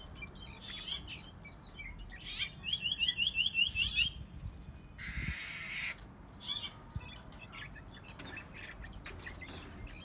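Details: A captive, tame, nest-raised brown-backed solitaire (Myadestes occidentalis), five months old and not yet in full song, warbles a quick run of about eight bright, slurred notes, with scattered chirps and short bursts of rushing noise.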